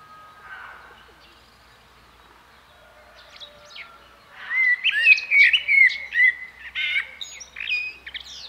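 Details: Common blackbird song: after a few quiet seconds with faint high chips, a loud run of mellow, fluted, warbling notes follows, ending in squeaky high twitters.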